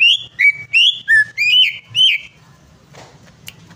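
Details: Greater green leafbird song meant to get a bird singing: six clear, loud whistled phrases in quick succession, rising and falling in pitch, then quiet with a soft rustling noise.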